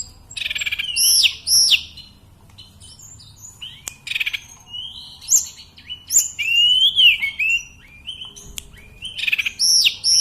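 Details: Sunda robin, the tledekan or mountain sulingan bird, in steady song; clusters of very high piercing whistled notes and downslurs, with brief buzzy bursts and quiet pauses between phrases.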